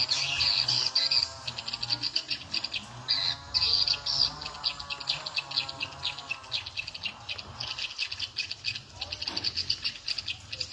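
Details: Swiftlets crowding to a lure sound at the nine o'clock volume setting. A long stream of rapid, high, clicking chirps with uneven spacing runs over a steady low hum.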